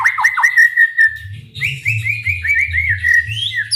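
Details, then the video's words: White-rumped shama singing, a recording meant to stir other shamas to sing: clear looping whistles, a held level note, then a string of quick arched whistled notes with a steady low background hum. "MURAIBATU gacor dor full TEMBAKAN ampuh untuk memancing EMOSI murai cepat bunyi | shama bird"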